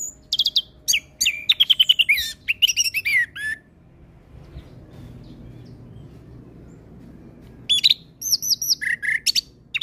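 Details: Song of an orange-headed thrush in full, vigorous style. A burst of rapid sharp chirps, trilled notes and whistled slurs is followed by about four seconds of near-silence with faint background hiss. Then the song resumes with high, looping whistled phrases.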